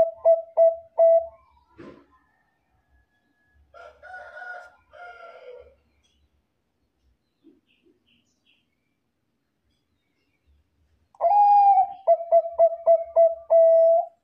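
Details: Zebra dove of the Bangkok type, a lively singer whose voice is used as a lure so other Bangkok doves answer. Quick staccato cooing notes open, a muffled mixed call follows midway, then a rolling burst of rapid coos ends with a longer note.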